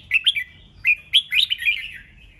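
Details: Red-whiskered bulbul uttering a fast 'chè' song used to rouse caged birds into singing duels; three quick bright whistles, a pause, then a longer, rolling chain of slurred whistled notes fading out.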